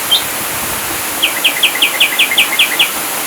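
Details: Ashy drongo song from a full-burst training track: one short high note, a pause, then about nine evenly spaced, sharp, downslurred chips repeated several times a second over steady faint hiss.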